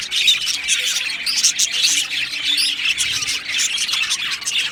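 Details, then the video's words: Budgie colony in an aviary, many birds chattering at once: bright high chirps, short warbles and scratchy squawks blending into a constant din. "Australian Budgie Chirping Sounds"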